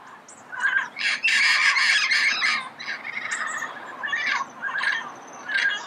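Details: Early-morning recording of red-crowned amazon in Pasadena: a loud, rasping run of harsh squawks followed by shorter scratchy calls, with high chirps from other birds behind.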